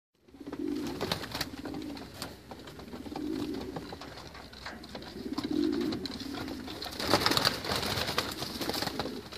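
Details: White racing homing pigeons cooing: low, throaty coo phrases repeated roughly every two seconds, with sharp clicks, scratching and shuffling noises throughout and a brief louder clatter near the end.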